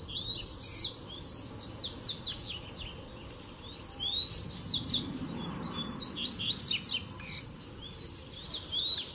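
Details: Double-collared seedeater song in the tui tui, zel zel and mateiro styles, a mix played to warm up other birds: repeated bursts of fast, high, sharp slurred notes with short lulls between phrases.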